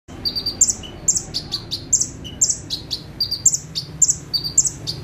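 Bar-winged prinia singing a steady run of high, sharp chips and short trills, nearly two each second, over a faint low rumble.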